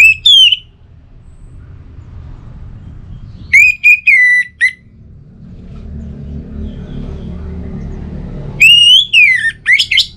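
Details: Loud, sharp whistled phrases of an orange-headed thrush, played as a lure to make a thrush at home sing, coming in three bursts of quick slurred notes separated by quiet stretches with low rumbling noise.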